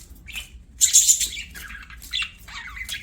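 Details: Budgies at play give a loud harsh squawk followed by twisting, scratchy warbled notes and chirps at high pitch.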